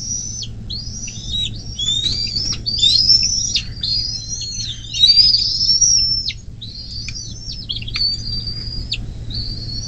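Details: Bald eagle at its nest along the Little Miami River near South Lebanon, Ohio, USA, on 24 May 2024 at 10:12, picked up by a nest camera: a rapid run of high, thin whistled chirps, each ending in a sharp downward stroke, over a low steady hum.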